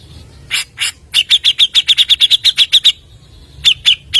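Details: Grey-cheeked bulbul used as a lure: two harsh notes, then a long rapid run of about fifteen bright chirps, a pause, and three more spaced chirps.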